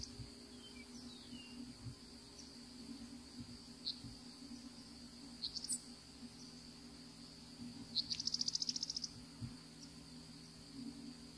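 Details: Single Savannah sparrow wintering in Florida, sitting still: scattered faint high ticks and short slurred notes, then one bright rapid buzzy pulse trill near the end, against constant high hiss and a low background hum.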